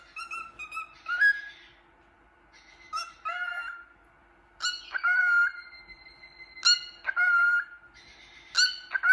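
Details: Cockatiel singing to its reflection in a mirror: scattered harsh chirps and squeaks alternating with sustained level whistles rich in harmonics, in bursts every second or two.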